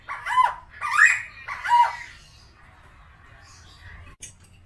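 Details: Helmeted friarbird, called koak kao in West Nusa Tenggara, a tame caged bird giving three harsh nasal squawks in quick succession, followed by quiet background noise and a faint click.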